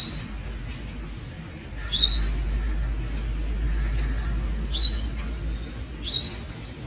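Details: High, thin calls of young Javan Munia (Lonchura leucogastroides), four short rising notes at uneven spacing, with low background hum and rumble.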